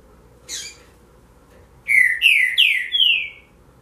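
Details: Green-winged saltator (Saltator similis) song: a short high note, then four loud, rich whistled phrases, each gliding downward, in quick succession against a quiet background.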